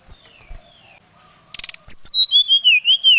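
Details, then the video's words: Brown-chested jungle flycatcher luring a rival: faint notes and a brief rustle lead into a loud string of about eight bright, wavering whistled notes that gently descend. "srdc memanggil lawan"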